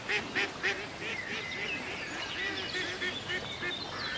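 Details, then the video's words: Ducks on a country lake: a few loud, sharp quacks open, followed by a quicker, softer string of nasal quacks that tumble on and overlap. "A Peaceful Day in the Country with Ducks Ambience"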